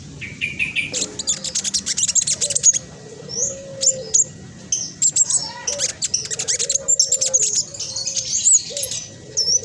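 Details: Black sunbird, speckled, with a quick tightly packed chattering song played to get other black sunbirds singing; continuous high-pitched twittering and sharp trills with short squeaky phrases.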